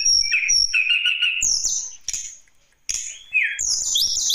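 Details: Lesser shortwing song for luring other birds to sing: high clipped whistles, a level buzzy phrase, then scattered sharp notes separated by short silences, ending in a bright, tumbling high warble.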